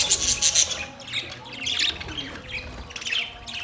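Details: Budgerigars chirping: bright, scratchy warbles and squawks in quick bursts, with a faint steady hum beneath.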